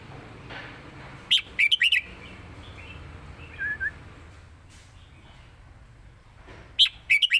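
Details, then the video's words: Red-whiskered bulbul in Thailand with 'lak wai' versus southern 'mae bot' song styles. Two quick bursts of loud, bubbly whistled notes are separated by several seconds of softer background chirping from other birds. "ที่เด็ดทั้งคู่"ลากหวายVSแม่บท(Bulbul bird Thailand)"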